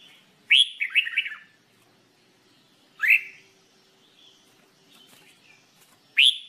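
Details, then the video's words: In singing training, a red-whiskered bulbul gives a rising whistle that runs into tumbling warbled notes, then two more sharp upslurred whistles roughly three seconds apart. "Red Whikered Bulbul Jambul bulbul SINGING training"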